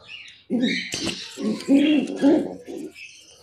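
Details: Pigeons hatching eggs, kept as pets; soft low cooing in several short throaty bursts with a few rising notes, plus wing flutters and faint higher chirps in the background.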